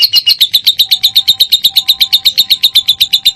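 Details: Lovebird singing, used to coax other lovebirds to sing: a steady stream of shrill, clipped chirps, roughly four each second, very even in rhythm and pitch, with a faint thin tone beneath.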